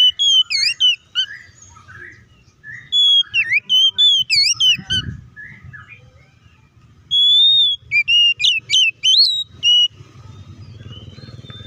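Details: Oriental magpie-robin singing as a lure to excite other magpie-robins; clusters of sharp inflected whistles, then a steady held whistle leading into rapid rising and falling notes, with a thump and low background noise between.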